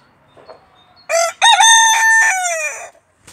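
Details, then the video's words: A Barnevelder rooster in a kitchen garden gives one loud, harsh crow lasting under two seconds: a short opening note, then a long held phrase that drops at the end. "Barnevelder rooster crowing"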